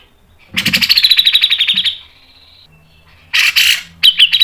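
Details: Cucak jenggot song as tutor and trigger material in a long, fast mbeset style: a quick run of about twelve sharp chipping notes slides into a held high tone, then a pause and two harsh, rapid bursts.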